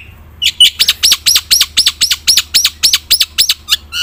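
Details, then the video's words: Black-winged myna full song to provoke silent birds into singing: a steady string of loud arched whistled-chatter notes, about four per second, each rising then falling. "coba suara burung jalak putih gacor full isian.. AMPUH untuk pancingan malas bunyi"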